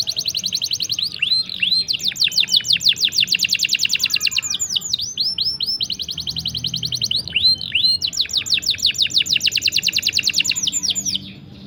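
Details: Extended rolling canary song meant as a tutor for young or silent canaries: long rapid trills of crisp chirps broken by looping swooping notes, then another fast trill, continuous for over ten seconds.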